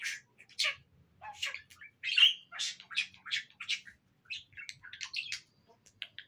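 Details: A pet budgerigar (Melopsittacus undulatus) courting its mate chatters in quick, scratchy, speech-like talking bursts and squeaks.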